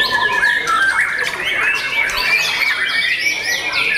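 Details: A young white-rumped shama's dense song fills the recording with overlapping buzzy warbles and a steady high whistle, the notes crowded and hard to separate.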